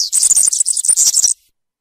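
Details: Campero-style song of a European serin: a dense, shrill, glittering jangle of rapid high notes lasting just over a second before it stops cleanly, with no other sounds.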